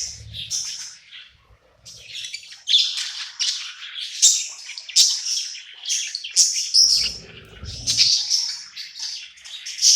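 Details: Pet budgerigar singing at night, happy in its new home: a continuous busy warble of high chattering chirps and scratchy notes, with loud bursts roughly every half second and a faint low rumble near the start.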